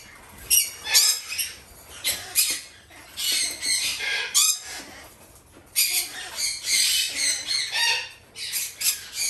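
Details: Red-shouldered macaw chicks, three captive-bred young females still hand-fed three times a day, giving harsh, raspy squawks in irregular bursts, some overlapping, with short pauses between groups.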